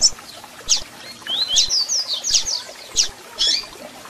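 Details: Captive double-collared seedeater song to excite another bird: a dense string of loud sweeping whistles and sharp chips, rising and falling rapidly, with clicking taps in the background.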